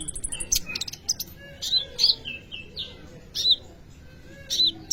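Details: Kolibri ninja sunbird in lively song, used as a lure to train young birds: scattered high sharp chirps and short bright trills with brief pauses between phrases.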